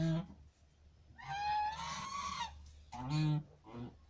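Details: A goose on a goose farm gives a long, rising nasal honk, then a shorter harsh honk and a softer final note, with low farmyard rumble underneath.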